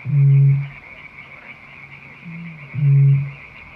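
Eurasian bittern booming: two deep, hollow hoots, each over half a second long, about three seconds apart, over a steady high insect-like hum.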